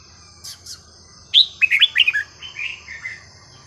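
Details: Red-whiskered bulbul singing a sweet, varied, non-repeating phrase, recorded for teaching young birds: two faint high notes, then a quick run of about six bright, liquid whistled notes, trailing into softer falling warbles.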